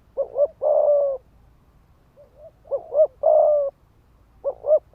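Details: Rapid 'thúc gù' cooing of a spotted dove decoy meant to provoke rival males: paired short notes run into a long, flat, throaty coo, repeated three times with a faint soft note between.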